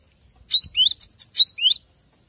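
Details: Cinereous tit, a master recording for training captive birds to sing more: one quick phrase of about six high, sharp notes, some sliding up, others flat and whistled, over near silence.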